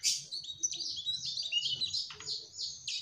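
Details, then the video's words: Mugimaki flycatcher in energetic trotol song: continuous high, buzzy, warbled phrases running together, with one sharp downward chip midway. "Burung Sikatan MUGIMAKI TROTOL Gacorr"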